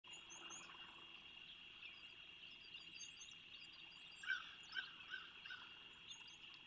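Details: Osprey calling near a nest on Skidaway Island, Savannah, Georgia, on 8 February 2023, picked up by a bird cam: a short run of four sharp chirps mid-clip over a steady high hum and faint, thin bird notes.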